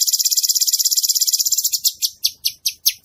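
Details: Cucak cungkok bulbul in gacor song: a rapid, very regular high trill of close-set notes slowing into separate sharp, strongly accented chips, with faint low thumps behind.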